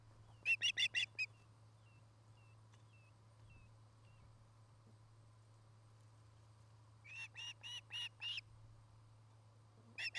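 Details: Osprey pair at their nest near treetops in Charlo, Montana, on 09-08-2018, nest camera: two bursts of rapid, high whistled chirps, one near the start and one later, with a faint series of short chips between and a steady low hum.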